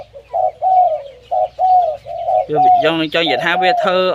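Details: Loud-voiced zebra dove utters a string of short, soft cooing notes with brief gaps, about five phrases in two and a half seconds. A man's voice then takes over.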